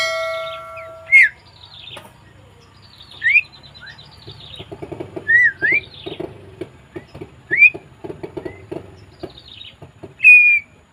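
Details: Javan myna, 20 May 2024, mixing bright, twisting whistles with scratchy notes. A run of rapid, dry clicking patters through the middle, and a final long whistle sounds near ten seconds.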